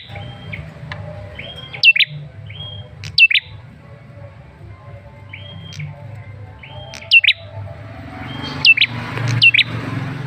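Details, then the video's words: Male red-headed Prenjak lure call to prompt a reply: flat whistled notes followed by sharp hooked chirps, in spaced groups, with a low droning hum beneath and a noisier stretch near the end. "Suara pancingan Prenjak Kepala Merah jantan"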